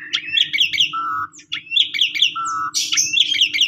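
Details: Asian pied starling song used as a lure to get silent or stressed starlings singing, in pumping style: chirpy rising note clusters alternating with steady low whistles, plus a sharp higher burst near the end, faint low hum beneath.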